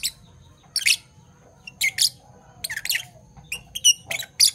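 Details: Pair of Fischer's lovebirds in parblue violet and parblue turquoise colouring, heard in the morning giving sharp, scratchy chirps in irregular clusters, a few with thin whistled overtones, over a soft low background hum.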